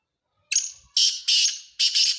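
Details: A black francolin, known locally as kala teetar, calls loudly in a rapid run of four coarse, buzzy, rasping notes. The first is drawn out and the later ones are clipped and close together, with no other sounds around them.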